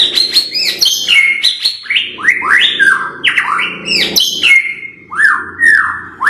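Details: White-rumped shama song: loud, continuous run of clear whistled phrases, many sliding downward, mixed with sharp high clicks and chattering notes, delivered rapidly with barely any pause.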